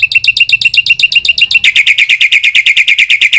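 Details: Black-winged myna song used as a training recording for other mynas, full of varied fill phrases: a fast run of clipped, ringing notes about six per second, switching midway to a louder, steadier series of the same bright chips.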